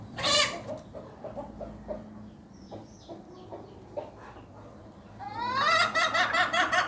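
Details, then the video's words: Hen making an odd, unusual sound: a loud harmonic squawk at the start, then quieter scattered clucks, ending in a drawn-out, strained, nasal, goat-like wavering call. "ayam bersuara aneh"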